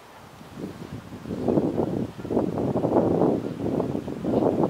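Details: Gusty wind buffets the microphone in swelling low rumbles, rising and falling over several seconds, with no animal calls audible.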